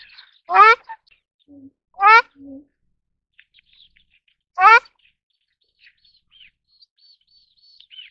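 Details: Ruddy shelduck giving three loud, nasal, honking calls, each short and rich in harmonics, spaced irregularly about 1.5 and 2.5 seconds apart; faint thin chirps of other small birds are heard near the end.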